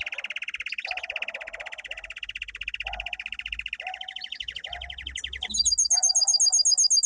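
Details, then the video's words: A pet domestic canary sings strongly in a fast, even trill of rapid pulses, stepping slightly higher, then jumping to a very high, quickly repeated run of notes. "Canary singing - 2 Canary 's most powerful song for training"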